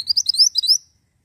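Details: Ashy tailorbird giving a short, loud burst of clear, high notes that sweep upward, about seven in under a second, with silence after.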